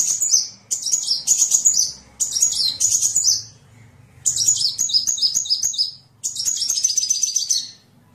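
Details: Sunbird training song for songbirds, given as bursts of rapid, very high stacked chattering phrases, each lasting about a second or two, separated by short silences.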